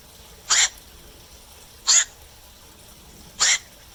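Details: Nighttime calls of a black-crowned night heron: three hoarse, abrupt kwak notes delivered at an even pace, about one and a half seconds apart, against still surroundings.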